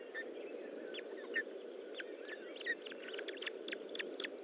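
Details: Osprey at the nest while being fed, 25 June 2012, 10:58: sparse short chirps at first, building to a denser run of sharp repeated chirps, over steady low noise.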